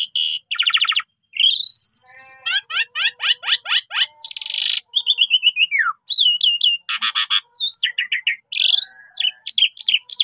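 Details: Javan pied starling singing energetically as a lure for trapping, alternating harsh buzzy bursts, long rising whistles, fast series of clicking downstrokes and sharp slurred notes, almost without pause.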